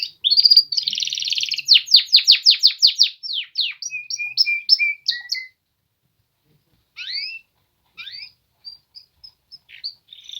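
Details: Polish male canaries: a buzzy trill, then a rapid run of falling notes and short level whistles for about five seconds, followed by a pause and scattered faint chirps.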